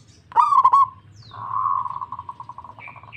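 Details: Zebra dove of a local strain replying eagerly: a bright stuttered coo, then a long purring trill of evenly spaced pulses, and brief higher whistles at the end.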